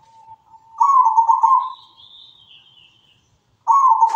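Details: Local zebra dove singing actively, two burry, vibrating coo phrases separated by a pause, with a faint thin higher whistle drifting downward between them.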